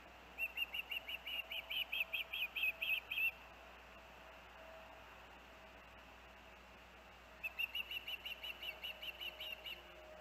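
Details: Osprey at the Hellgate nest with young birds, August 23, 2024: two bursts of quick, thin whistled chirps, roughly ten notes each, separated by about four seconds of quiet background hiss.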